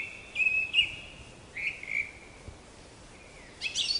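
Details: Black-capped chickadee giving clear, steady whistled notes at one pitch, two short notes early and two more mid-clip, with a brief higher burst near the end over a faint hiss.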